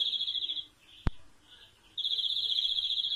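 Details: Rolling trilled phrases from a European greenfinch, broken by a single sharp click, then a fresh trill starting up strongly.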